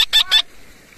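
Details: Red-breasted parakeet flying free with other small parrots in Indonesia on 11 December 2022; three harsh, loud, rasping squawks in quick succession within half a second, then quiet.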